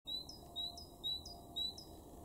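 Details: Great tit, a garden bird in Weener, East Frisia, in Germany's far northwest, March 2023: four quick two-note phrases, each a long level whistle followed by a short higher note, repeated about every half second over a low background hum.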